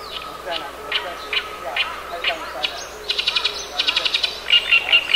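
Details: Oriental reed warbler singing on 10 June 2012, a harsh voice hard to believe from a small bird: loud grating notes repeated about every half second, then rapid rattling bursts and squeaky whistled notes, other birds faint behind.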